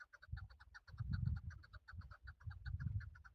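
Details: Male chukar partridge, its call used for hunting, giving quick repeated clucking notes in uneven pairs and bursts over a low rumbling background noise.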